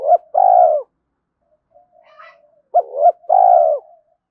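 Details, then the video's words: Spotted dove at dawn, cooing to incite combat and lure others: two phrases, each a pair of short hollow notes followed by a long throaty coo, with a quiet low murmur in the gap. "Tiếng chim cu gáy thúc đấu và chiêu bổi lúc sáng sớm"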